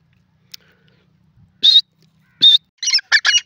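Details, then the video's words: Francolin calling, with a few harsh, buzzy notes centred high and strongest near the end, where a quick burst of rough notes runs together after two single loud calls; otherwise quiet background. "the best teetar best awaaz"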